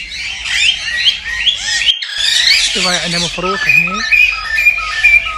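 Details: Cockatiels vocalising to prompt mating: bright warbled whistles and squawks overlap, while a lower, stuttering series of nasal notes cuts in midway, and clear short whistles sound near the end.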